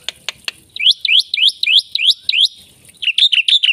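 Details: Jalak putih, a black-winged myna, in full gacor song: a few sharp clicks, then a rapid series of rising whistled notes repeated about three times a second, ending in quick warbled phrases.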